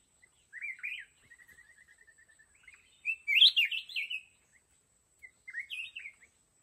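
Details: Red-whiskered bulbul used as a decoy in a fight trap for wild mountain bulbuls: a warbled phrase, a thin stuttering chatter, then a loud bubbling whistled burst and a final short rising phrase.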